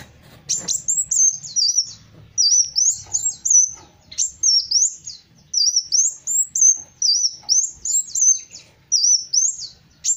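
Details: Kolibri Wulung, the black sunbird, in full song: a near-continuous run of very high, thin, sweet twittering phrases made of rapid up-and-down slurred notes, each lasting about a second with brief pauses, plus faint low background rumble.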